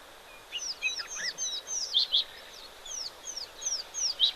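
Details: Oxpeckers moving around at an African waterhole during a live safari broadcast, giving lots of tweeting and calling: a busy run of high, thin, slurred chirps and rising and falling whistled notes, with faint background hiss.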